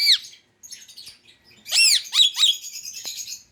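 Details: Pet Indian ringneck parakeet calling: one loud arched screech, a pause with soft chatter, then a burst of harsh descending squawks trailing into thin high notes.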